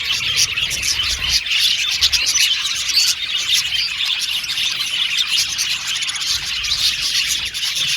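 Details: A flock of male budgerigars, blue and violet birds in an aviary colony, keeps up a busy, high twittering chorus of quick chirps and warbles, with faint low rumbles early on.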